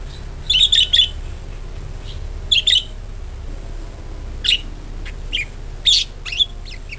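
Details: Budgerigar chatter played as a lure to get other budgies singing: short, bright, buzzy chirp bursts in clusters near the start, then scattered single squeaky notes over a low steady hum.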